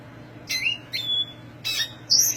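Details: Black siskin giving high squeaky calls, a drawn-out level whistle, then harsh, scratchy high chirps in bursts, with quiet pauses between phrases.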